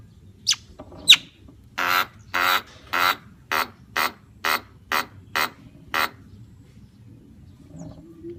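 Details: Javan myna gives a run of nine harsh, rasping squawks spaced about half a second apart, preceded by two sharp clicking notes, over a low background hum.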